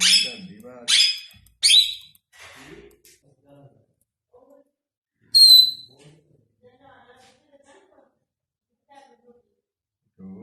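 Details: Pakistani ringneck parrot talking: three rapid, harsh, high-pitched syllables in quick succession, then softer low mumbling sounds and one more sharp burst midway, followed by quiet indoor background.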